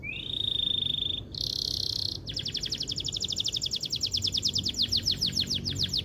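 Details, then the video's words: Male canary song played to stimulate female canaries to breed: a sustained buzzy tone, a louder higher buzz, then a long pulsing trill of rapid repeated notes that grows stronger toward the end. "MASTERAN SUARA KENARI GACOR DURASI PANJANG BUAT PANCING BIRAHI KENARI BETINA"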